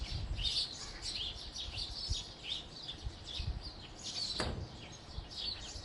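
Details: Lively group chirping from house sparrows: rapid overlapping high chips continue throughout. Noticeable low rumbling noise and a short swishing sweep appear near the middle.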